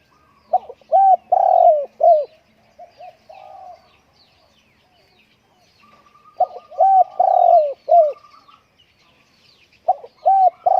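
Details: Kept indoors because of strong wind, a Spotted dove repeats its song: loud, mellow coo phrases of three or four notes, separated by softer murmured coos, recurring three times over the stretch.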